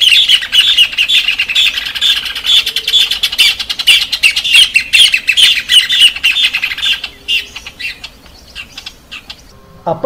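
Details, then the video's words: Caatinga cacholote (casaca de couro) song: loud, harsh, scratchy chattering, fast and rapidly repeated for about seven seconds, then fading into softer scattered notes. "vamos ao canto da casaca de couro"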